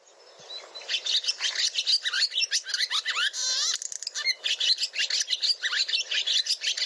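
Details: A Barn Swallow in the Boise, Idaho area gives a long, complex twittering song: fast squeaky chatter and warbles, with a dry, rubbery rattle partway through, like a balloon being chewed.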